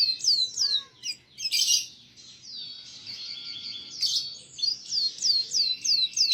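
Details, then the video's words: Canary song used to tutor young canaries: quick descending whistles, a harsh burst, then a steady high trill and a closing run of evenly spaced downslurred whistled notes. "MASTERAN UNTUK PAUD KENARI"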